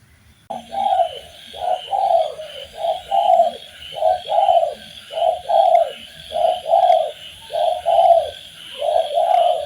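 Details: Spotted dove training track with rapid overlapping low coos, phrases following each other under a second apart as if several birds call, over a steady high insect-like buzz throughout.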